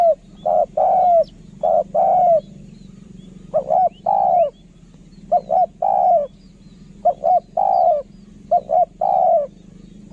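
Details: Spotted dove giving its 'khaa-rom' style lure cooing used for decoy calling: low, mellow coo phrases of two or three short notes ending in a longer drawn-out coo, repeated steadily with short pauses.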